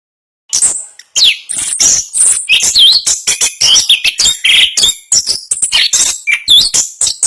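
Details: Orange-headed thrush, a national champion songbird, in rapid rolling 'ngerol' style: a dense, fast stream of sharp chirps, high whistles and bending notes with hardly a pause after a brief silent start.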